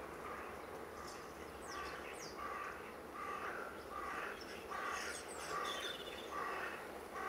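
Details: Eurasian jay (Garrulus glandarius), a shy woodland bird, visiting a UK garden in October 2012 to search for food in a year short of acorns: rough calls repeated about every second, over a steady background hum.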